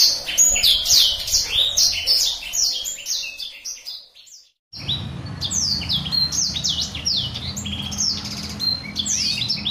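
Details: Black-throated canary master song for canaries to learn: rapid high twittering phrases and downslurs, a pause of about a second midway, then renewed fast chatter over low hum.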